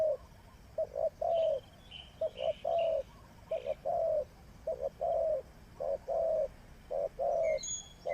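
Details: Decoy spotted dove for trapping coos continuously for eight seconds, short double notes alternating with longer held coos roughly once a second, with faint higher chirps from other birds in the background.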